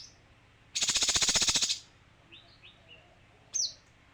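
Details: A male kinoi gives a loud, high, pulsing buzzy trill of about one second. It is followed by a few faint short slurred notes and one sharp, high chirp.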